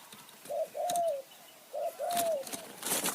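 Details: Spotted dove kept as a decoy to call in wild doves, high forest near Kanchanaburi, Thailand. Two soft coo phrases, a brief lead note followed by a long gently falling coo, with light clattering and rustle between them.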